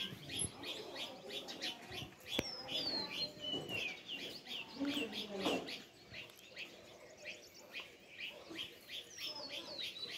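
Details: Many sparrows give a lively stream of short, high chirps in rapid series, with a sharp tap around two seconds and a slightly louder surge of chirping mid-way.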